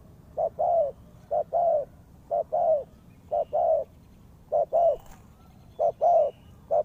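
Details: Spotted dove used as a trapping lure, giving soft low coos in couplets, a brief note then a drawn-out one, repeated at roughly one-second intervals with uneven spacing; faint background hiss.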